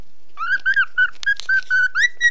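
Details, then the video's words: Nine-month-old cockatiel indoors, singing along with a mobile phone: a rapid series of short, evenly spaced whistled notes, mostly at one pitch, with a couple of brief noisy bursts in the middle. "cockatiel singing and folowing my mobile"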